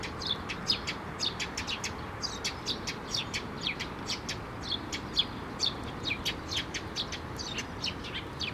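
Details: Several sparrows gather at a shrine platform (Tenmangu) to be fed, 6 May 2023; a lively, continuous run of bright, high chirps, over two a second, uneven in rhythm, above faint ambient noise.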